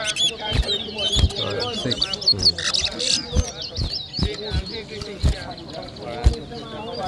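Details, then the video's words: Competing towa towa (seed finch) at a whistling contest in Berbice, Guyana, 2023: bright, high chirping and warbled whistles, busy at first, set against crowd chatter, background music and regular thuds. "TOWA TOWA BIRD WHISTLING COMPETITION"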